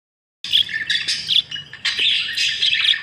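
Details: Several budgerigars feeding after their food ran out, giving dense, rapid chirps and squeaky warbles that start after a brief silence, with short pauses between bursts.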